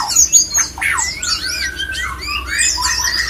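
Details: Male white-rumped shama giving a mating sound meant to bring other shamas into breeding condition. Loud opening chips lead into long sliding whistles and high thin notes.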